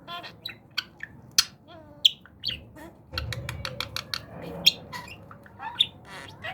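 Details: Talking budgerigar during a training exercise, giving a busy run of short sharp chirps and warbled notes, some sliding, irregularly spaced over several seconds with faint room noise beneath.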